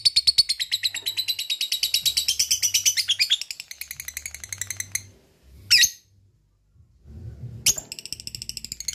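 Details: Lovebird giving a long ngekek chattering song: a rapid, high, rattling stream of sharp notes running about three and a half seconds, fading, then short piercing bursts after brief pauses.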